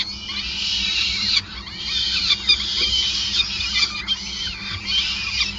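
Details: Peregrine falcon at a nest site at Gasunie, Groningen, on 5 May 2020 during a long feeding session: shrill, squealing harmonic calls overlap almost continuously, with short breaks, over a steady low hum.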